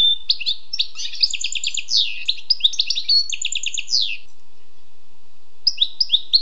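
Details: Wild European goldfinch pouring out a nearly continuous twittering song of rapid tinkling and buzzy notes for about four seconds, then a pause and a short closing twitter.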